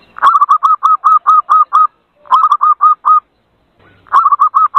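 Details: Bird-luring call of a zebra dove: rapid runs of short, bright cooing notes, first about nine, then two shorter runs of around five, each run ending abruptly.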